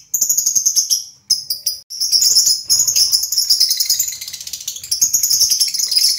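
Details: Lovebird giving a fast, continuous stream of shrill, high chirps that run almost unbroken through the clip, with one short pause near the first second.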